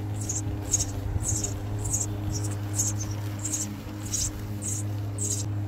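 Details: House sparrow nestlings of a second brood, hungry and begging in the nest. Thin high chirps come in regular bursts about twice a second over a constant low electrical hum.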